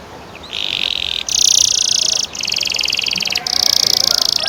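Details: Canary in the long rolling song style ngerol panjang, used to train young birds: sustained buzzy high trills running almost without break for four seconds, changing pitch between segments over faint background hiss.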